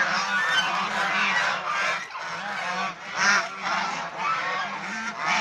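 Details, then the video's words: Pet domestic swan goose (Chinese swan goose) filmed while playing, bathing, resting and fighting; many harsh honks pile on top of each other in a steady, noisy clamour, with brief dips and sharp louder peaks. "Domestic Swan Goose, Behaviour, Playing, Bathing, Resting, Fighting"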